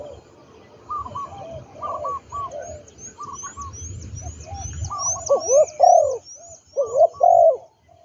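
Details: Trained captive spotted dove used as a ground decoy: faint coos early, building to louder rolling coo phrases near the end, over a low rumble and a fast series of high thin ticks.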